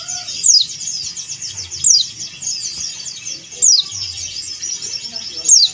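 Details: Rival-directed calling by a male Oriental white-eye, yellow-breasted Bali form (dakun bali). Four shrill notes drop sharply in pitch, spaced roughly one and a half to two seconds apart, over a thick carpet of high buzzy twitters.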